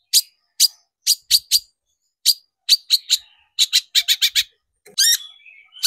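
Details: Long-tailed shrike lure recording meant to excite shrikes into singing: short harsh chattering bursts, single and in rapid runs of two to four, ending in a squeaky buzzy note.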